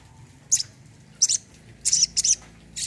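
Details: Olive-backed sunbird, kept as a caged bird, repeating brief very high chipping notes in quick pairs, five bursts in under three seconds.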